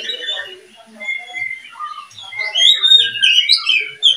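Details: Caged breeding pair of murai and kacer (murka), white-rumped shama with oriental magpie-robin, singing varied clear whistled phrases, some rising, some falling, with brief chattering notes in quick succession.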